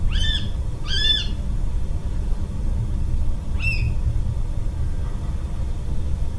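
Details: Water rail calling on 24 December 2021: three short, harsh, piglike squeals, the first two close together and the third after a pause, over a steady low traffic-like rumble.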